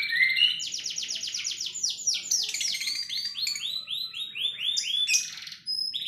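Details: Canary in sharp 'tembakan' song, loud and continuous for six seconds: a chain of rapid rising notes and high trills, with a brief dip near the end before it resumes.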